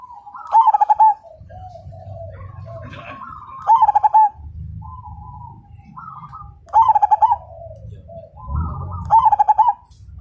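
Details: Zebra dove singing strongly, its voice said to make other birds sing along: four loud pulsed coo phrases roughly every three seconds, with softer cooing between and a steady low rumble behind.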